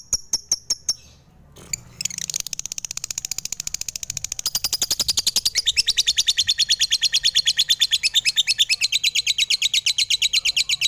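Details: Lovebird song recorded at home: a few sharp clicks, a brief pause, then a long fast chattering run of high buzzy notes that grows louder and stays evenly paced.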